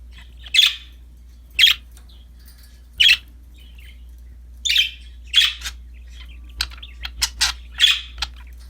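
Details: Budgerigars happily playing with a new toy utter single rough chirps about once a second at first, then a quick scatter of short clicks and chirps near the end.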